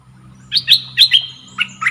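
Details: Red-whiskered bulbul, a caged decoy bird whose song lures wild birds, gives a quick run of bright, warbled two-to-four-note phrases rising and falling over about a second and a half, with a steady low hum underneath.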